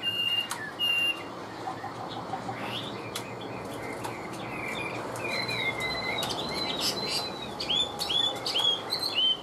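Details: Caged Chinese hwamei, described as a tame bird with a steady voice, gives scattered short whistled notes and curling chirps at a moderate level, broken by brief pauses, over a soft background hiss.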